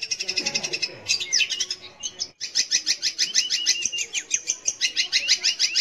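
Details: Long-tailed shrike, known as cendet or pentet, singing to draw young or silent birds into song: fast, high, rhythmic chattering with interwoven sweeping whistles, a short pause midway, then dense scratchy phrases resume.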